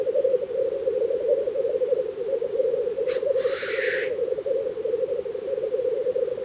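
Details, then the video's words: Black grouse lek in spring in Russia: a steady, dove-like bubbling chorus of many males, cut about halfway through by one loud, hissing sneeze. "Black grouse lekking"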